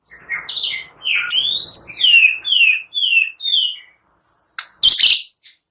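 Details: White-rumped shama in full song, a lure recording meant to provoke other birds into singing, described as full of cililin and prenjak phrases; loud slurred whistles sweeping up and down, then harsh scratchy bursts near the end.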